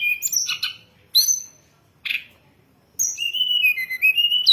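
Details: Hill blue flycatcher song used to lure and train birds: short high warbled phrases separated by pauses, then a long thin whistled line wavering and rising at the end.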